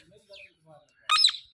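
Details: Parrot in a village in Pakistan giving one harsh, raspy squawk near the end, preceded by a few faint soft sounds.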